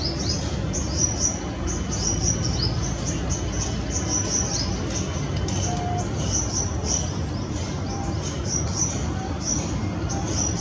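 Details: A perched female Shikra calls near her nest, Greater Noida, in February 2017. Quick high piercing notes follow one another in a rhythmic, almost continuous series, with a steady rushing hiss beneath.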